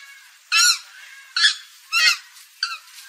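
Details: Purple gallinule calling, a recording used as a hunting lure: four harsh, nasal, harmonic honks spaced unevenly over three seconds against a quiet background hiss.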